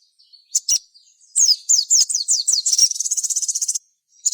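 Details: Crimson sunbird (sogon) singing as a lure for other sogon: a few high chips, then a run of downslurred squeaks that speeds into a rapid, even, very high trill lasting over a second.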